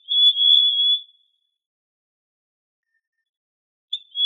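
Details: Trinidad euphonia song: a clear, high whistled note lasting about a second with a slight waver, a long silence, then the start of another whistle.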